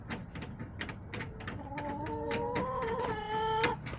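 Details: Chickens kept in a backyard, recorded October 10, 2024. Scattered clicks lead into a long, steady, tonal call lasting about two seconds, with a faint second voice overlapping near the end.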